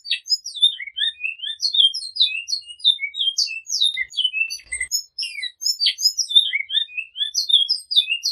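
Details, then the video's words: Flauta song with repetition from a great-billed seed-finch: a long, busy sequence of bright, high whistles and short slurred notes, delivered almost without pause and with brief gaps between bursts. "Bicudo Canto Flauta com repetição"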